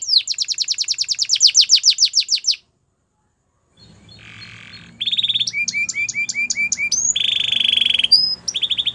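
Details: Russian canary singing a trained song: a fast, even trill of sharp descending notes for over two seconds, a pause, then a soft buzzy passage and bright rolling tours with clear, flat whistled notes and quick repeated chips.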